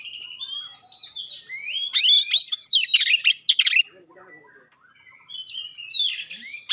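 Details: Oriental magpie-robin singing sharp, clear phrases meant to make other magpie-robins respond: a varied run of whistled, slurred notes and rapid buzzy bursts, then a brief quiet pause before more high whistles resume.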